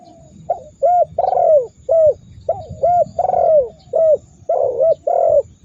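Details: Spotted dove calling to provoke rival birds into answering: mellow coo phrases run back to back, each of short hoots and a longer falling coo, heard about three times over a low background hum.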